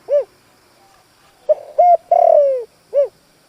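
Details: Spotted dove used as a decoy, calling to lure wild birds: one full cooing phrase of a short arched note, pause, two brief notes, a long smoothly falling coo and a closing arched note.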